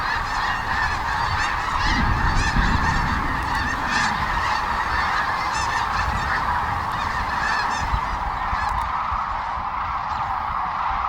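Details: A dense chorus of many Sandhill Cranes on spring migration at the Platte River, Kearney, Nebraska, before dawn while still dark, groups taking off and flying straight overhead giving rolling, bugling calls, continuous and overlapping, with a brief low rumble of wind or movement.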